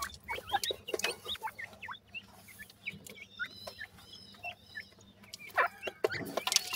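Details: Grey francolin chicks produce quick, high, wavering peeps and hooked whistles in loose series, overlapping at times, with scratchy noises and a louder rustling burst near the end.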